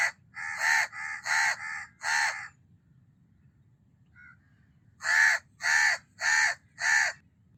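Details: House crow uttering rapid harsh caws, a cluster of five loud calls, a pause with a faint short note, then four more loud evenly spaced caws; steady low hum beneath.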